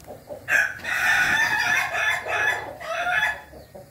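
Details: Red-combed Ayam Ketawa rooster crowing, recorded 20 May 2024: a loud, harsh, drawn-out crow broken into several pulsing, cackling segments over about three seconds, ending in a softer trailing note.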